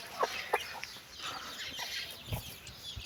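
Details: Mother hen calling her chicks for a walk: two sharp clucks at the start, then busy high chick peeping and light scuffling sounds.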